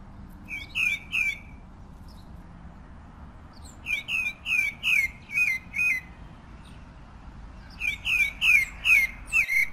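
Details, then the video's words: Pale-breasted thrush (Turdus leucomelas) sings three bursts of quick, slurred, mid-high whistled notes, several to a phrase, over a faint low background rumble. "Canto del Zorzal Sabiá"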